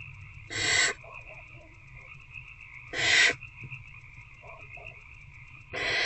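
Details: Barn owl in Owl Box C on the night of 19 February 2024, around 9 pm, as an adult feeds an older owlet: three harsh broadband hissing screeches, each about half a second, roughly every two and a half seconds over a steady background drone.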